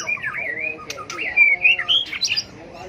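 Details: Brief burst of white-rumped shama competitive fighting song used in training birds; wavering warble followed by loud clear rising whistles and a high final flourish.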